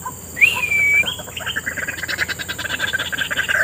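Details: Wild white-breasted waterhen heard by chance in scrub habitat that is being developed; a rising whistled note opens, followed by a quick run of harsh, repeated notes over faint background hiss.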